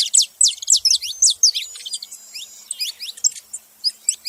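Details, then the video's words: Saffron finch: strong, sharp descending chirps in quick succession, then softer, fainter twittering notes trailing off toward the end. "Canário da terra fazendo barulho"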